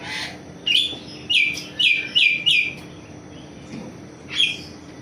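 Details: Morning activity of an Asian pied starling: a run of five bright, sharply inflected whistled notes about half a second apart, then a pause and one more note, over a low steady hum.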